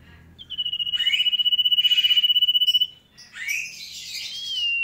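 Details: Sooty-headed bulbul singing vigorously: a rapid pulsed trill held on one high pitch for about two seconds, then brief scratchy chatter and a clear rising-then-steady whistle.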